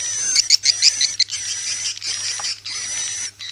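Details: Swiftlet call of the 'inap ratu liur' lure type, played to attract swiftlets into nest houses: a quick burst of sharp, high chirps in the first second, then dense hissing twitter over a steady piercing high tone.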